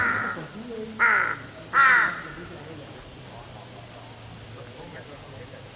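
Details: Crow, also called raven, giving three rough caws within the first two seconds, the last two louder and more drawn out, then quiet with a steady high-pitched hiss behind.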